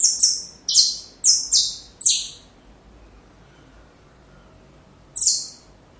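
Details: Saffron finch singing for young birds to learn from: five quick, piercing downslurred chirps, a long quiet pause, then a single further chirp.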